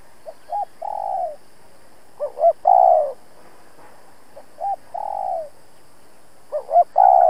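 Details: A decoy spotted dove challenging wild birds with 'thúc gù' cooing. Two phrases of short clipped hoots, each followed by a sustained downward-sliding coo, with brief quiet gaps between them.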